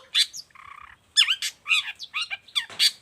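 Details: Long-tailed shrike singing as a model for other shrikes: harsh slurred chattering notes broken by a brief buzzy grating phrase, fast and varied throughout.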